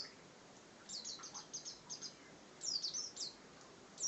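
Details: Bar-winged prinia (ciblek) in lively ngebren song: quick runs of thin, high, downslurred notes in clusters, about two or three per second, then louder squeaky bursts, against constant broadband hiss.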